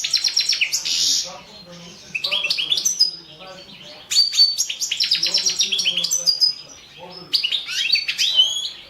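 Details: Balcanica goldfinch entered in the 2017 world goldfinch song championship, producing three long bursts of rapid, tinkling, twittering song made of trills and rising chirps, each burst separated by a short pause.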